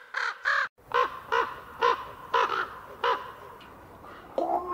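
A common raven gives a string of about nine harsh, hoarse croaks, roughly two per second, with a faint background hiss.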